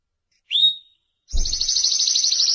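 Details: Timbrado canary (Serinus canaria): one short upswept whistle, silence, then a dense continuous high trill that carries on steadily to the end, opening with a low knock.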